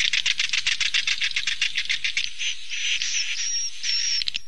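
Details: Swiftlet roost call used to attract birds to a three-level roosting building: a fast train of sharp chirping pulses, nearly four per second, merging into a continuous buzzy chatter with a thin high whistle near the end.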